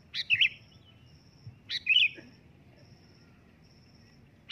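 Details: Calling sooty-headed bulbul, loud: bubbly, warbled chirp phrases repeated about every 1.5 seconds, each starting with a sharp upward note. A brief lower squeak and low background noise are also heard.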